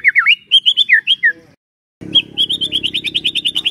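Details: Morning lure song of a white-rumped shama meant to make a quiet bird sing: a few bright, bouncing whistles, a short gap, then a fast, even trill of high notes over a low background hum.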